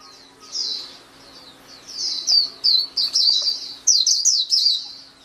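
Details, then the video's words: Song of a white-eye, known locally as pleci: high thin chirps and short warbled phrases, sparse at first, then dense bursts after two seconds, with a faint steady hum below. "SUARA MAHAL KICAU BURUNG PLECI"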